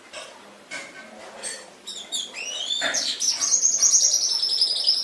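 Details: Indonesian masteran recording of a canary singing: scattered soft chirps, then a rising swept note leading into a long, fast, high, shimmering trill that holds steady to the end.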